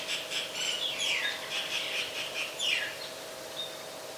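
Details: Common myna (Acridotheres tristis), Ubon Ratchathani, Thailand, December 15, 2020, Nikon P1000 recording: loud scratchy chatter mixed with sharp down-slurred whistles for three seconds, fading to a faint thin whistle over constant low hum.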